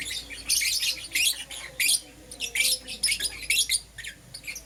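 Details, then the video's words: Lovebirds in Euwing Green Opaline and Lutino colours, morning chatter of loud, shrill chirps in dense overlapping bursts, continuing with rapid squeaky notes. "Lovebird Chirping Sounds"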